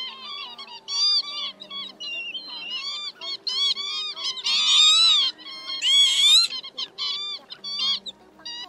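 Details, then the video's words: Night-trapping lure of northern lapwing, meant to gather a flock of both sexes during migration: nearly continuous overlapping nasal, wheezy calls with upward-bending slurs, building to loud bursts in the middle, about fifty call groups a minute. "Te Te Mào Tiếng Chuẩn Gọi bầy trống mái"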